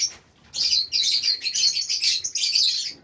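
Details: After a quiet start, a flock of caged Fischer's lovebirds in Safi, Morocco, erupts into continuous shrill twittering, a steady stream of high, overlapping chirps that barely pauses.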